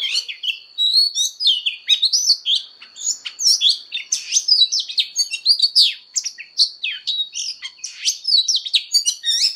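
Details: Long fighting song by an Oriental magpie-robin practising its voice: constant rapid mix of whistled slurs, high chips and rich warbles, with a thin steady tone underneath.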